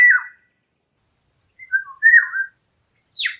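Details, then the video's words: Eurasian golden oriole giving short, liquid fluted whistles in two brief phrases, followed by a harsher, higher descending note at the end. "הזהבן המחלל"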